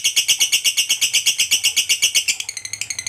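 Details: Fighter lovebird 'ngekek' trill for provoking other lovebirds: a fast, very regular shrill pulsing chatter of about four beats per second, shifting near the end into quicker, thinner notes.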